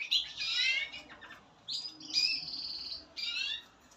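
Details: Spanish Timbrado canary, a young bird from 2023, singing short bursts of metallic rolling trills and buzzy phrases, with brief pauses between phrases over a faint background hiss.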